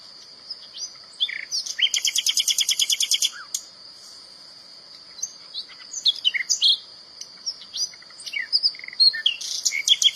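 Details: Wild common nightingale song phrases, sung to hold territory or seduce females: a burst of rapid repeated pulsed notes, then scattered sharp whistles and chirps over a steady high-pitched background whine.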